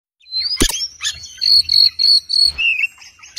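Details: Oriental magpie-robin song for bird tutoring: a sharp click, then clear whistled notes held near one pitch in a quick repeated run, ending in a lower slurred whistle; faint low rumble beneath.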